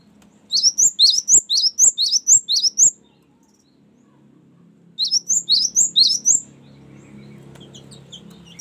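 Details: Two rapid runs of high, clipped, repeated whistled notes from a Cinereous tit in 'ngerol' rolling song, used to lure wild birds and train captive ones; a gap follows, with faint low background rumble near the end.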